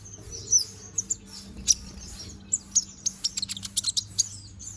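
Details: Konin bird, young and in feather growth, singing: a few spaced high chirps, then a quickening series of sharp ticking twitters, over soft low background hum.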